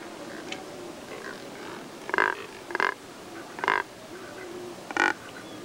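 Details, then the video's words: Neotropic cormorants, one of about 15 that visit Lake San Pablo, Otavalo, Ecuador, yearly, rest drying in the sun and give noisy vocalizations: four short, grunting, croaky calls about a second apart, with faint distant bird notes. "Cormorán del Neotrópico-Neotropic Cormorant"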